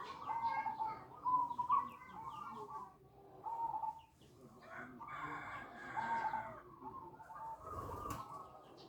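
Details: Zebra doves giving a luring call meant to attract other doves; a series of warbled, trilling coo phrases with brief gaps, overlapping voices, and a short sharp knock near the end.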